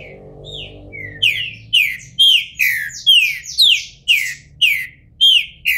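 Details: In moult and bald-headed, a captive green-winged saltator from a Brazilian breeder sings a few soft introductory whistles, then a long run of about nine loud, rich, downward-sliding notes spaced roughly half a second apart.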